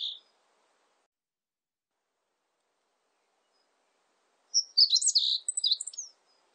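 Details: A short high note, a long pause, then a Meadow bunting's full song phrase: quick bright chirps and warbled notes lasting about one and a half seconds. Recorded 2020 by the National Institute of Biological Resources.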